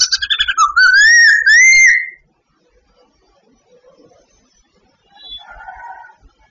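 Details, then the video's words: Babbler, a bird in training, singing: a few quick clipped notes lead into a sustained whistle that dips, then rises and falls, followed by silence and faint soft notes. "Bird training Babbler singing everyday"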